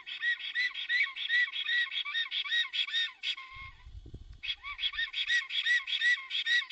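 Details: Black stork in Puszcza Notecka, Poland, calling at the nest on 17 April 2020 as a greeting or alarm. Rapid, arched whistles repeat almost three times a second, pause briefly over low thumping, then resume.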